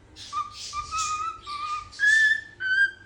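A cockatiel whistles a string of clear, level notes, each held about half a second, ending on two higher, sharper whistles; faint breathy noise behind.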